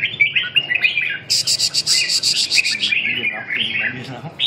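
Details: Red-whiskered bulbul singing in a friendly competition bout with a fourth-prize bird from Hai Phong: warbled phrases broken by a loud, fast rasping rattle lasting about a second, then more chirpy whistles.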